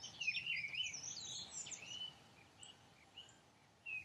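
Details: Dunnock song as a quick, squeaky warbling run of high notes, followed by a few scattered chirps over a steady hiss of background noise.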